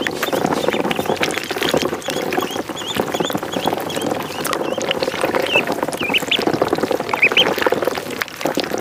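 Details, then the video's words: Duckling on a pond: a run of thin, high, wavering peeps repeated rapidly, then a few more spaced peeps later, over constant splashing and paddling water. "Duck Sound duckling in the pond -duck quack"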